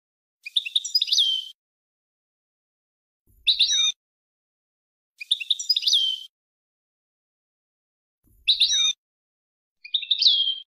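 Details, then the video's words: European goldfinch singing a melodious song for tutoring young birds, 2020 recording: five separate bursts of bright twittering and buzzy notes, each about a second or less, with clean silent gaps between them. "Ecolage Chardonneret Melodieux // Goldfinch Song to teach young people"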